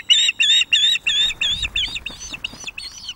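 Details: Osprey pair at a Loch of the Lowes webcam in May 2024, female food begging as the young male delivers fish; rapid series of about ten sharp squealing notes, loud at first, then fading and shifting.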